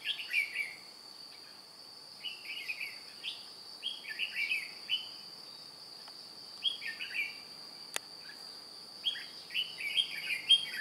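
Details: Decoy red-whiskered bulbul singing to lure wild bulbuls into a trap on 2 July 2018, wings and tail flicking like an adult bird; clear, cheerful whistled phrases of three to four notes, repeated roughly every second or two, over a constant high insect drone.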